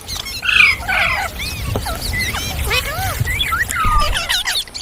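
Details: Ringneck parrot talking: a couple of harsh squawks open, followed by arched whistled notes and up-and-down slurs spaced out over a low background rumble.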